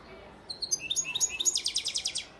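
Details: Singing European goldfinch, a father bird from Antalya, Turkey, 2018, giving a few thin high notes that speed into a fast, evenly repeated twittering trill of about ten ringing notes.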